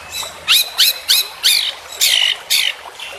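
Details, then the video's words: White-rumped shama in full-isian training song, with imitations mixed in: a run of seven sharp, rising, whistled notes with buzzy overtones, spaced about a third of a second apart. "Masteran Murai Batu Full Isian"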